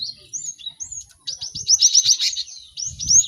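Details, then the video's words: Cinereous tit song used for training caged birds: a few rising whistles, then a dense buzzy run of quick sharp notes, ending in another whistled upslur with low thumps. "Pacingan gelatik batu ramai untuk maksimalkan burung belajar cepat bunyi"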